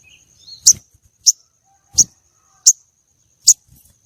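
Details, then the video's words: Female common iora calling to stimulate a male for contests: five short, sharp, very high chips at uneven intervals of roughly one per second, with faint low thuds beneath. "Pancingan sogon betina untuk pikat dan pancing birahi sogon jantan lomba"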